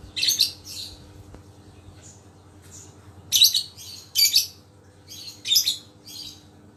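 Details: Recovered pet lovebird being tested for readiness to call, producing scattered bursts of high, harsh chirps, some paired, some single and softer, spaced irregularly across several seconds with faint background hum.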